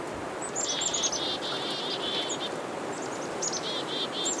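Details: Black-capped chickadees scolding a northern pygmy-owl with repeated high, harsh dee-dee notes in quick runs, with short sharp introductory chips and steady broadband noise behind.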